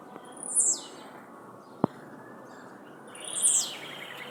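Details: Blue-black grassquit released into nature gives two brief high buzzy sweeps, each dropping steeply from very high pitch, about three seconds apart, with a single sharp click between them over a quiet background.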